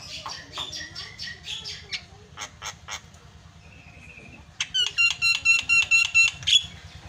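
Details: Javan myna in full song, used as a lure to stir silent mynas into singing: harsh scratchy notes, then a rapid run of about ten buzzy, metallic bursts with a steady whistled tone, each roughly a third of a second apart.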